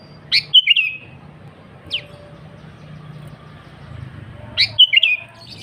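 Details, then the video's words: Sooty-headed bulbul singing vigorously to call rivals: two bubbly whistled phrases with rising starts at the beginning and end, a lone sharp note between them, and soft low background rumble. "Suara Burung KUTILANG GACOR AsliTanpa ISIAN"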